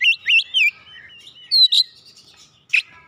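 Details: Brief Oriental magpie-robin song for prompting a lazy bird to sing: three fast rising whistled notes, a soft warble, then a clear high whistle and a harsh chip, with one more rasping note after a pause.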